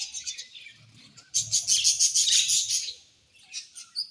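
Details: Budgerigars in a colony, chirping: dense bursts of high chatter and short tweets, loudest in a rapid run of repeated notes at mid-clip, then fading to scattered chirps.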